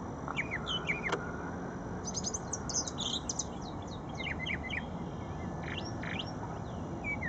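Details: At Shred-It Pond a brown thrasher sings bursts of quick, varied high notes, mostly falling slurs and sharp chips. A dense phrase runs mid-clip and a few more follow near the end, against low rumbling background noise.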